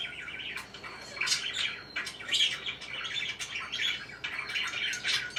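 Parakeets chirp and chatter continuously, with bright, high, overlapping tweets and squawky notes from several birds at once.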